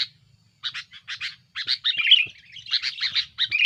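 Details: A sooty-headed bulbul's busy, aggressive song for pressuring rivals, used as a lure: scratchy chirps start sparsely, then build into a denser run of chatter mixed with short whistled slurs.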